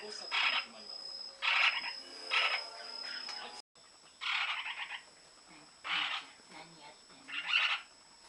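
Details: Lineolated parakeet calling in breeding season indoors: grating, raspy bursts about half a second long come roughly once a second, with a steady electronic hum and a brief cut midway.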